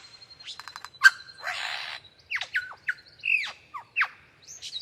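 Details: A superb lyrebird gives a rapid, varied medley: a quick rattle of clicks, a harsh buzzy burst, then sharp whip-like downslurred whistles and rising squeaks.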